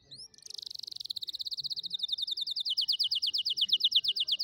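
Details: Canary singing in a recording used to teach young canaries to sing: a clear, fast rolling trill of high notes, about three per second, descending slightly in pitch and growing louder toward the end.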